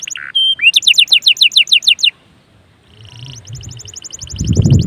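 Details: Canary song played to trigger singing in other canaries: a buzzy note and whistle, a run of rapid falling chirps, a pause, then a faint high trill as low rumbling noise rises.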